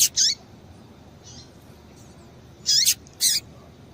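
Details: Female Double-collared Seedeater calls used to get males singing: sharp high chips in pairs, separated by a longer quiet gap, some with short falling slurs.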